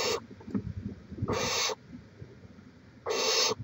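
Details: At a Chula Vista, California barn owl nest, filmed by live cam on 18 May 2017, raspy broadband hisses come in three bursts, spaced unevenly over under four seconds, with soft low rustling between.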